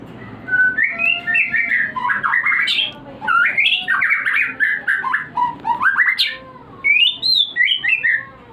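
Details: White-rumped shama singing a lure meant to heighten breeding desire: fast, jumbled sequences of squeaky, slurred whistles and harsh chatters in rising and falling bursts, almost continuous for several seconds.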